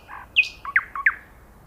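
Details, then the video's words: Common nightingale singing: a soft low phrase followed by three loud, sharp descending whistled notes between pauses, clean background. "The nightingale singing"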